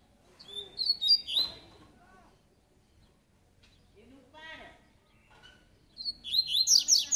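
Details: Double-collared seedeater (coleiro) singing in the tui tui song style: short bursts of high, sharp whistled and buzzy notes at the start and again near the end, with a lower rasping phrase in between, otherwise quiet.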